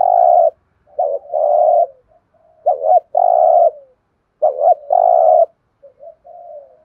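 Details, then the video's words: Spotted dove giving an insistent, repeated cooing phrase: a short broken note followed by a long, steady low coo, repeated three times with pauses between, ending in softer fragments. "cu gáy thúc gù nghe phê"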